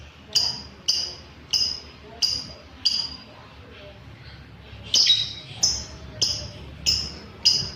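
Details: Lovebird sound played to set up caged birds for longer ngekek: sharp, high, clipped chirps repeated roughly every two-thirds of a second, with a brief lull in the middle. Faint background hum.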